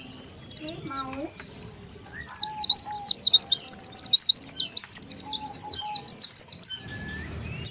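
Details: Lure call of the Oriental white-eye for attracting wild birds: a few scattered high chirps, then a fast unbroken chatter of thin zigzag notes lasting several seconds before fading, low background hum.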